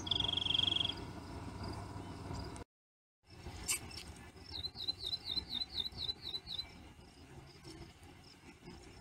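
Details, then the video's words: On 29 May 2016 at the Royal Gorge outside Cañon City, Colorado, a rock wren gives a short, high, buzzy trill, then after a break a run of about nine quick, rolling high notes, over a steady wind-like rush. "Rock Wren"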